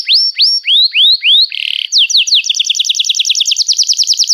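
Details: Canary song with long continuous chatter: a run of rising whistled sweeps about three per second, a short buzzy burst, then fast repeated trilled notes.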